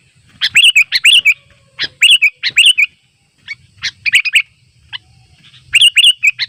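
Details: Sooty-headed bulbuls in the wild, calling rivals while flocking to a simple trap. Short phrases of three or four sharp, high chirps come in bursts, separated by short pauses.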